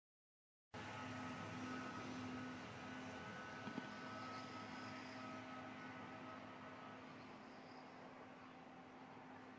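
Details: Steady mechanical droning like an air conditioner or idling vehicle, with broadband hiss and a faint click near the middle, and no animal calls.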